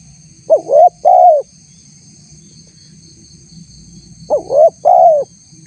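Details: Spotted dove voice played to lure wild doves into responding, tagged as a female courting a male: a pair of three-note phrases, short, rising, then longer descending coo, repeated after a long gap, over a persistent high whine.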